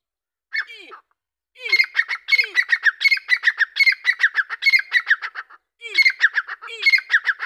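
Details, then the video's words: Grey francolin giving a rapid, repeated series of harsh, ringing notes after a short low, falling note at the start. The strident phrases come in a steady rhythm, pausing briefly before resuming. "دکنی تیترکی آواز"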